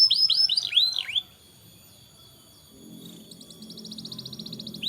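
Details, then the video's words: Canary song used as a tutor to stimulate young canaries to sing: a run of looping, swept whistles in the first second, a short pause, then a fast, even, high metallic trill building in loudness, with faint low background rumble. "Burung kenari gacor cocok untuk MERANGSANG kenari bahan agar cepat gacor"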